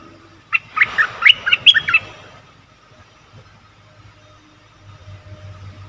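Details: Bulbul lure sound for wild birds: a short, fainter run of five or six slurred chirping notes lasting under two seconds, followed by quiet with a low hum.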